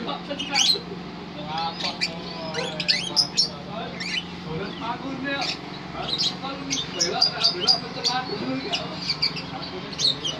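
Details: Lovebird singing a long rolling song: dense runs of sharp, high, squeaky chirps pour out almost continuously over ten seconds, rising and falling in tight bursts. A constant low hum and background voices run underneath.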